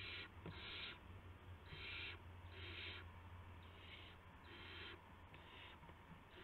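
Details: Night-time owl nest on 19 March 2016 where parents bring mice and a gopher to owlets; about seven breathy, noisy screeches in quick succession, some louder than others, with low background hum.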